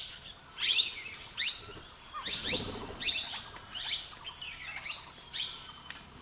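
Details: In Uttarakhand, a Grey treepie busy feeding gives a run of harsh, scratchy, down-slurred high calls, about seven in six seconds, with a soft low thump partway through.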